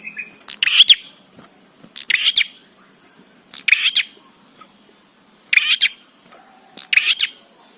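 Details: Bar-winged prinia song used to train birds: bright, high chirp bursts of two or three rapid notes repeated about every 1.3 seconds, irregular spacing, with faint low rumble beneath.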